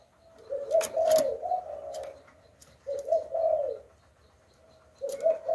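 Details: Spotted dove decoy calling in the Hạp Bổi style to draw in wild doves: two deep, breathy coo phrases about two seconds apart, a third beginning at the end, with sharp clicking knocks and rustles over the first.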